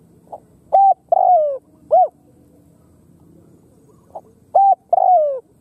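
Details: Khmer spotted dove cooing twice: a soft note, a steady hoot, a long descending croon and a short arched coo, then a pause before the phrase starts again.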